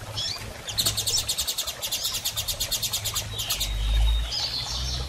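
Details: Female double-collared seedeater in heat, soliciting mating, makes a rapid rhythmic series of about fifteen high, clipped notes, then a thin level whistle and a few more notes, with low rumbling hum underneath.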